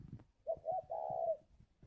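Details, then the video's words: One soft calling coo from a caged spotted dove at a Ba Vì, Hanoi bird farm in Vietnam: two short notes, then a longer sustained coo, with faint low background noise. "Gáy gọi Hậu 1"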